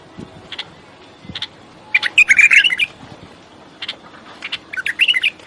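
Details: Bulbul starting with a few scattered single notes, then breaking into a dense run of quick, bubbly chirps, followed by another short chattering phrase.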